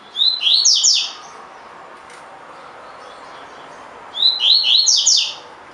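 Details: Training recording of a collared seedeater singing 'tui tui' style phrases: two full phrases of rising whistles ending in quick buzzy downslurs, separated by about three seconds of quiet background hiss.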